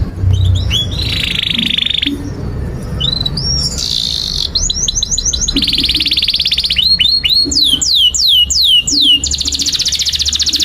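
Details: Long canary song for tutoring young birds: short hooked chips lead into a buzzy trill, then more chips, fast rattles, a run of loud downward sweeps and a final high trill; faint low background hum throughout.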